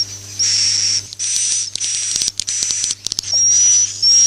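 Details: Swiftlets' roosting lure call, used to attract them to nest houses: sustained shrill high whistles broken by a cluster of quick clicks and chirps in the middle, over a faint hum.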